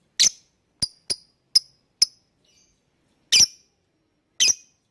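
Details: Lovebird producing short, piercing chirps, used as a lure so other birds sing along; the first notes come about every half second, then two louder, harsher chirps follow after a pause.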